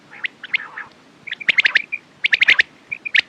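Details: Quail calling with soft raspy notes leading into bursts of sharp, high clicky calls in quick clusters, interspersed with short clear whistled pips.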